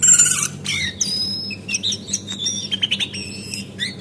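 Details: Female brown-form Javan white-eye in a lure recording used to spur birds into full song: rapid thin chirps, short upward and downward sweeps, and brief trills. The notes tumble over one another without pause.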